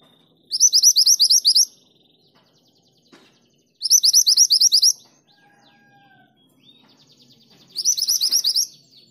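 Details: ['Female mountain mantenan calling to the male: three bursts of about nine rapid, bright, upslurred chips, each burst lasting about a second, separated by pauses of two to three seconds, in a quiet setting.']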